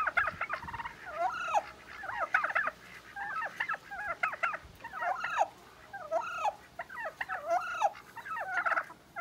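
A Bronze turkey hen scolds with loud, raspy, quavering yelps in uneven bursts, about one a second, over a faint steady background hiss.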